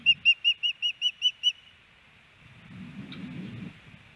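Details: Female osprey calling for her mate from the nest, Hellgate Canyon, Missoula, Montana, May 18, 2019, captured by a nest cam. Eight quick high whistles open the clip, then a low rumbling background noise follows.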